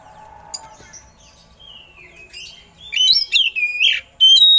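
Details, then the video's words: Oriental magpie-robin singing with eagle-call imitations, a recording meant for training other songbirds: faint thin notes, then loud, slurred whistles that sweep down and up, ending in a sharp high whistle. "Suara Burung Kacer Isian Elang || Pas Buat Masteran"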